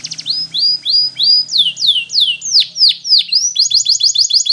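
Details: Belgian canary in full song: repeated rising whistled notes, then loud downward-swooping slurs about three per second, closing with a quick run of short chips.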